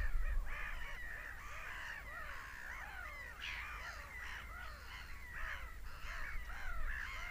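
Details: A noisy flock of seagulls screaming: rapid overlapping squawks and yelps with a few louder bursts, over steady low wind or surf noise.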